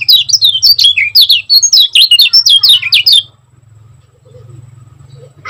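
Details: Dense, speedy Lombok lemon-bellied white-eye song in the 'gacor' style meant for training caged birds: about three seconds of rapid slurred high chirps, then quiet with a faint low hum.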